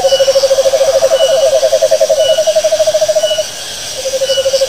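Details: Owl trilling: a loud, rapid, evenly pulsed trill holding one pitch for over three seconds, a brief pause, then the trill starting again, with insects hissing softly in the background.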